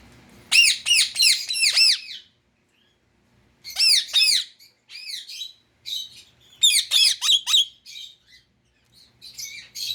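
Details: Pet Indian ringneck parakeet calling in rapid bursts of shrill, ringing screeches, four or five quick notes per burst, with brief silences between the groups and softer chatter near the end.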